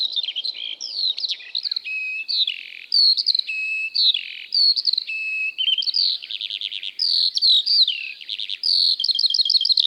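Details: Eurasian Skylark in Britain, a prolonged song given while hovering high over fields from early spring and kept up during descent; lively, continuous high warbling of rapid chirps, trills and slurred whistles with no pauses.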